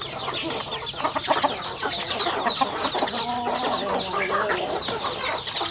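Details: Farm chickens eating: a steady stream of high, downward-sweeping peeps from many birds, with soft pecking clicks and a few lower clucks underneath.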